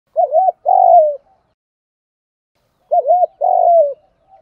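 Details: Spotted dove call used to stimulate trained doves: two phrases about three seconds apart, each a short double-humped coo followed by a longer, mellow, slightly descending coo, low-pitched and clean, with silence between.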